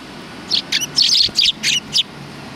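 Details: Sparrows behind a civic culture hall, 17 January 2020: six or seven short, bright chirps in quick succession over about one and a half seconds, with quiet low background noise.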